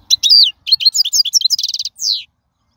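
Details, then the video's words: Wild goldfinch song of the kind played to tutor young birds: jumbled high chirps and twitters, then a quick buzzy trill of repeated notes and a final downward-sweeping whistle. "من أقوى اغاني | طائر الحسون | البرية"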